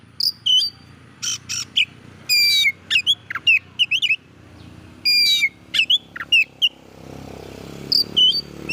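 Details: Oriental magpie-robin song to provoke other magpie-robins, with bursts of whistled phrases, harsh buzzy notes and descending sweeps separated by pauses, over a steady low background hum that rises near the end.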